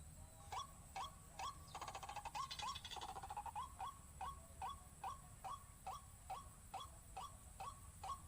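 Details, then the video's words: Waterhen lure recording: regular hoarse notes at about two per second, broken midway by a brief rapid chattering burst, then the steady series resumes over a low hum. "PIKAT 4 SISI BIKIN RUAK RUAK PANIK"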